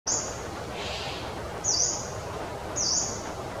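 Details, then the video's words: At Pakke Tiger Reserve, a yellow-bellied fantail gives three very high, thin, slightly dipping notes about a second apart over a steady background hiss; yellow-bellied fantail. "Yellow bellied fantail"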